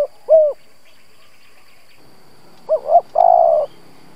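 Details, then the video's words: Spotted dove kept as a lure to provoke other doves, calling low hollow coos: a closing down-slurred note, a quiet gap, then a rising double note and a long level coo. "Cu gáy mồi Gù siết bổi nhập tàn, chim cu gáy kích bổi nhanh nổi"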